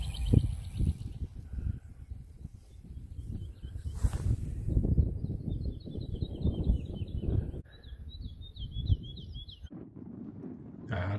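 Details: In spring in the dunes of Zuid Kennemerland National Park, Netherlands, a woodlark sings in the sun, a faint run of high, liquid notes, each dropping in pitch and repeated rapidly for several seconds, over steady low wind rumble. It has been back for weeks, singing from branches and in flight.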